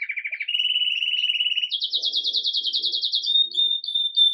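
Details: Red mosaic agate Belgian canary singing in the Campainha style as it starts its day lively, recorded live: a mid-pitched trill, then a steady rolled tour, then a higher, faster rattling trill ending in sharp whistled notes.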